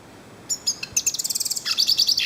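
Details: Short phrase from a yellow-faced siskin in nature, sharp high chips speeding into a fast, even trill and then a bright buzzy twitter.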